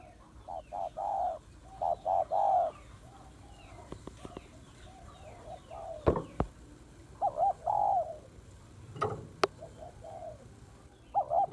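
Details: Female spotted dove calling to stimulate males, used as a trapping lure: soft hooting coo phrases of several notes, separated by pauses, with scattered sharp clicks and taps between phrases.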